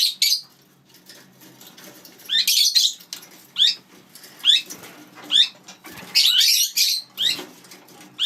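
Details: Pet lineolated parakeets with their chicks: a run of short, sharply rising chirps repeated about every second, mixed with denser bursts of scratchy chatter and soft fluttering or rustling in between.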